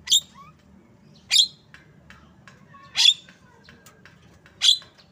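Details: Loud grating squawks from a jalak kebo, or Javan myna, repeated steadily about every one and a half seconds, four in all, with soft clicks between.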